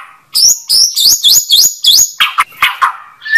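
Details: White-rumped shama giving high, ringing whistled notes that sweep upward and repeat several times, followed by lower harsher chirps and a final clear whistle.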